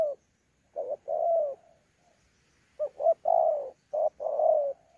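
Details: Thổ pha spotted dove, caught wild, challenge cooing with added bowing coos at Sa Thầy on 26 November 2019. Two mellow coo phrases are separated by a quiet gap of about a second, each a quick note leading into a sustained, slightly falling coo.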